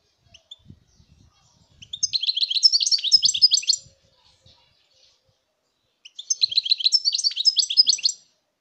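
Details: European goldfinch in song, 2019: two long runs of lively, chattering twitters and metallic trills, each roughly two seconds, after a few soft low taps.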